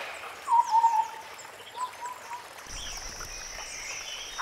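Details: White-browed scimitar babbler in forest: a short run of low, hollow, rapidly repeated notes, then a second fainter series, with other birds whistling thinly in the background.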